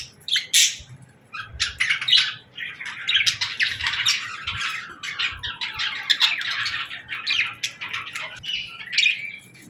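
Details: Budgies singing in the morning, a dense, continuous chatter of scratchy squawks, clicks and rapid chirps, rising and falling in loudness almost without pause.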